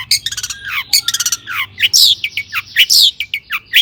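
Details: Long-tailed shrike (cendet) song used as a lure to make other shrikes sing: rapid harsh chatter and buzzy trills mixed with sharp rising whistles and downslurred notes, densely packed.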